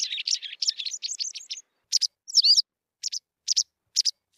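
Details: A white wagtail opens with a fast, rattling run of high twittered notes, then switches to well-spaced sharp chirps and one looping slurred note.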